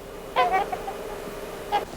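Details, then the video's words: Trumpeter Swan in Idaho in winter, a social bird that gathers in groups calling back and forth, gives two brassy, horn-like honks about a second apart, the first a short doubled note, over a faint steady hum. "now for the first time in a hundred years their old haunts will hear the distinctive Cry of the trumpeter swan echoing to the winter Stillness"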